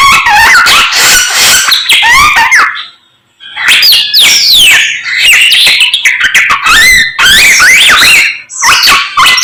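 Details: Morning song of a samyong: rich, fast, varied whistled phrases sweeping up and down, broken by buzzy trills. After a brief pause near three seconds it resumes just as loud and complex.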